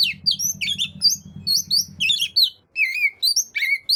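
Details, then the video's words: Oriental magpie-robin (kacer) singing to prompt lazy birds to join in: rapid squeaky whistles, slurred upward notes and short chirps in quick bursts; a pulsing low hum runs under the first half, then stops, leaving brief silent gaps. "burung Kacer yang males bunyi pasti ikut gacor 100%"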